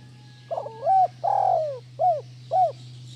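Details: Spotted dove calling, used as a training recording to stimulate lazy doves to call: a short soft coo, a longer burry descending coo, then two clipped rounded coos about half a second apart, over a steady low electrical hum.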